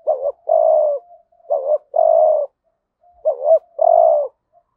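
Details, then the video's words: Spotted dove decoy in the 'hạp bổi' voice, giving 'thúc gù' calls to bring in wild doves. Three evenly spaced phrases, each a soft murmur, a looping double note and a long steady coo. The background is silent. "Tiếng cu gáy mồi ĐỦ BÀI GỌI THÚC GÙ Giọng HẠP BỔI kích bổi nhanh nổi/cu đất gáy hay"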